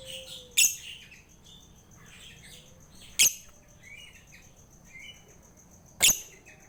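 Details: Caged lovebird used as a lure to stimulate a lazy lovebird to sing: loud sharp broadband clicks about every three seconds, with short high chirps and whistled notes between them and a faint steady high tone throughout.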